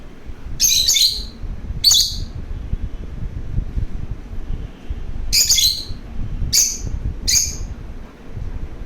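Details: Playful pet lovebird giving bright, piercing chirps. A double chirp and a single open the sequence, a silent gap follows, then three more chirps in a looser cluster, with soft room noise underneath.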